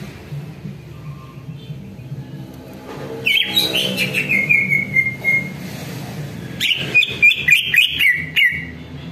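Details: Greater green leafbird lure song for warming up birds and getting them to answer. One long warbled phrase slides downward and fades, followed by a pause, then a rapid string of sharp, bright whistled notes.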